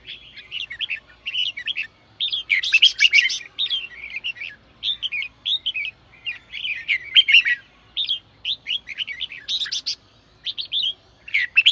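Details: Sổ bọng song of a red-whiskered bulbul, played to push newly caught birds into singing: a near-continuous run of lively chattering, whistled phrases with a few loud rasping bursts, only short gaps between phrase groups.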